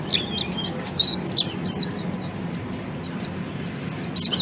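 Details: Oriental white-eye, called peleci, singing in the ngeriwik style used to train other birds: rapid high thin chirps and slurred whistles in quick bursts, pausing near the middle, with steady low background hum.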